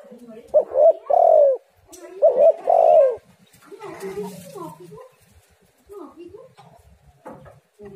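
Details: Spotted dove cooing for luring doves to sing: two phrases of short coos closing with a long falling coo, followed by softer mixed chatter and voice-like sounds in the second half.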